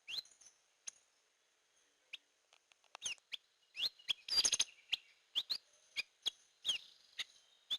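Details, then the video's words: Hair-crested drongo, called gentolang or srigunting kantil, used as a lure call: sparse high chirps at first, then a denser stretch of bright rising whistles and a brief buzzy flurry mid-way. "Suara Pikat Burung Gentolang / Srigunting Kantil"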